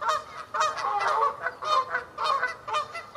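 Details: Rapid honking from Canada geese, given to advertise territory and around take-off: brassy nasal honks in quick bursts, several geese calling over one another in an irregular rhythm.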